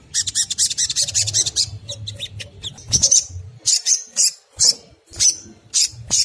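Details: Ngriwik kemrecek singing by a crimson sunbird, used to draw song from other crimson sunbirds: a quick high chattering burst, then loud, sharp, high notes repeated about every half second.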